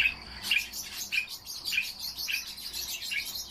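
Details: Common starling singing a dense, continuous high chatter of buzzy, scratchy notes with short clear whistled accents recurring about every half second, steady throughout.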